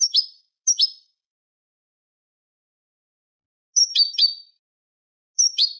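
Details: Eurasian goldfinch tutor recording in the Manolo style for training young goldfinches and hybrids: paired sharp descending chips, two short bursts, a long pause, then three more, in silence.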